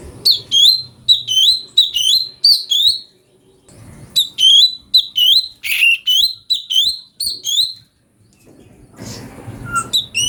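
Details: Brown-breasted bulbul song for training magpie-robins: two long runs of rapid, ringing chirps with hooked, slurred shapes, separated by brief silences, with a faint rustle near the end.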